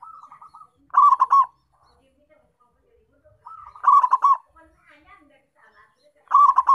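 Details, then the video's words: Local zebra dove, a lively caller used as a lure to draw in wild doves, gives a staccato run of rolling coos, then a stronger burst of clipped notes. The phrase repeats about every two and a half seconds. "BUNYI PERKUTUT LOKAL GACOR, UNTUK PANCINGAN DAN PIKAT PERKUTUT LOKAL"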